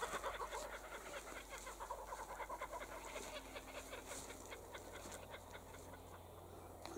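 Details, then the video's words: Kookaburras chuckling in a rapid run of harsh, clucking notes. The notes are loudest in the first second, then ease into a steadier, softer chatter that lasts about seven seconds over a low background hum. "Kookaburras Chuckling"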